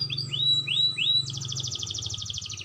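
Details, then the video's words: Canary learning the rolling song, its voice clear: a few rising upslurred whistles, then a rapid buzzing trill, with a low rumbling hum underneath. "burung kenari belajar ngerol suarany jernih"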